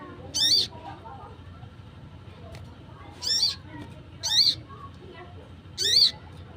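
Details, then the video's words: Sunbird in the wild giving a luring call: four brief, shrill, high buzzy notes with a rapid wavering shape, separated by gaps of one to three seconds, over soft background rumble. "PANGGILAN SOGON LIAR"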